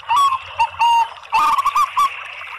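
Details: Zebra doves, a mix of local and Bangkok-type birds, singing as a lure recording meant to set other doves singing: short rolling, bubbly coos with a clear stuttered trill near the end, notes separated by brief pauses.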